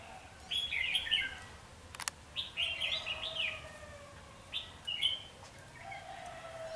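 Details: Red-whiskered bulbul song heard while trapping with a wing-clipped decoy bird, recorded 14 March 2016: bright, warbled phrases in three bursts about one to two seconds apart, one sharp click near the middle.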